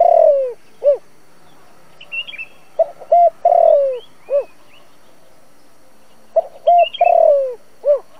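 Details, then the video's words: Cooing of a decoy spotted dove for a trap loudspeaker, 'giọng thổ' voice meant to attract wild doves. Repeated low phrases about every three seconds: clipped coos, then a long falling note. Brief high chirps from other small birds. "Tiếng cu gáy dùng cho loa bẫy, cu gáy mồi cây kích bổi nhanh nổi"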